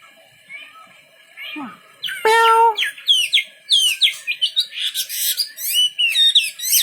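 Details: After near silence, a wambi bird bursts into loud, rapid chirped and whistled notes, with one harsh nasal squawk among them, building into a dense chattering song.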